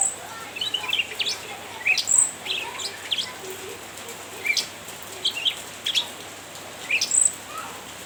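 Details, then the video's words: Cucak ranting calling to tease a rival, giving repeated high chirps and quick downslurred notes in evenly scattered bursts, with faint hiss underneath. "Burung cucak Ranting gacor nyrecet menggoda lawan"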